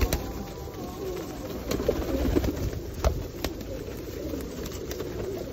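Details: Feral pigeons gathered for feeding at Osu Kannon in the rain in 2021, low murmuring coos overlapping in a steady flock chorus, with sharp taps and the hiss of rainfall around them.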